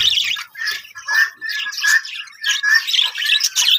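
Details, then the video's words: Colony of budgies kept for breeding, bursts of warbling chatter and scratchy squawks coming in waves about every half second, with brief pauses between the louder phrases. "budgies parrot colony setup"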